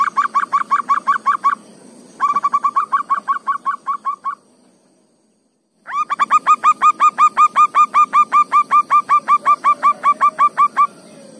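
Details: Local wild zebra dove deep in a forest, singing: a fast run of short, hollow, bubbling coos, about three per second, in bursts split by a brief pause and a silent gap before a long steady series.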